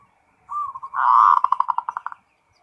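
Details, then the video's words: Zebra dove ngerot phrase: a short rising coo, then a loud rolling burst that breaks into a fast train of evenly spaced pulses fading out over about a second. "SUARA PERKUTUT FULL NGEROT"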